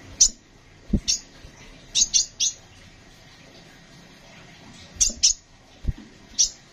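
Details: Sunbird, known locally as kolibri ninja, giving short, sharp high chips in scattered pairs and singles over about seven seconds, with low thumps and faint background hiss.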